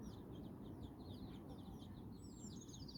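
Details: Nine chicks accompanying their mother hen outdoors in Bizkaia, Basque Country, exploring and playing; soft, high-pitched peeps drift steadily through a broad hiss of outdoor noise.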